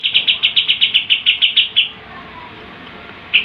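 Sooty-headed bulbul firing off about a dozen quick, high, chipping notes in an even two-second burst, then a pause before another burst starts; faint background hiss.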